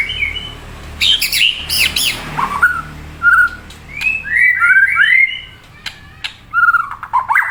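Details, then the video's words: Murai song with a harsh high burst, then clear whistled notes and rising-falling phrases separated by short gaps. "Saura merdu kicau burung murai"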